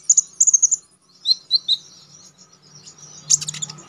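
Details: Konin, or Orange-headed Thrush, singing with sharp, wild-style notes for contest training: paired high whistles, then lower slurred notes, ending in a short burst of buzzy chatter with a faint hum.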